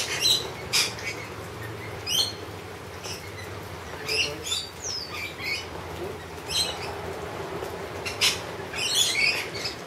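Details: Wild lorikeets being fed honey give harsh, shrill screeches in short bursts, about one every second or two, over a steady low hum.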